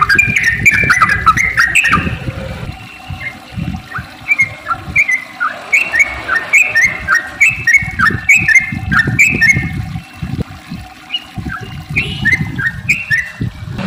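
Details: Yellow-vented bulbul singing to prompt other bulbuls: many short, bright whistled phrases in fast succession, some slurred upward, in uneven bursts over low knocking noises and brief gaps.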